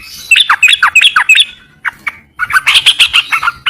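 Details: Singing Yellow-vented bulbul giving short bubbly chirps that drop in pitch, delivered in a quick series, then a brief lull and a louder run of sharp chattering notes.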